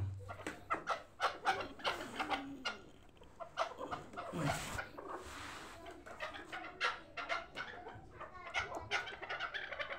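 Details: Chukar partridge hybrids, young birds intended for fighting and hunting, keep up a busy chatter of sharp chucking notes for ten seconds, with a brief rushing noise midway.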